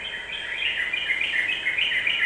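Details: Yellow-vented bulbul singing to goad other birds into quick agitation: a continuous run of rapid, bubbly, chirping notes wavering up and down without a break, with faint hiss behind.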